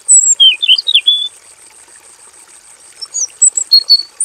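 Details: Robin singing lustily in a simple aviary: loud swooping whistled notes rising and falling in a quick phrase, a pause, then a scatter of thin high whistles, over a continuous faint hiss.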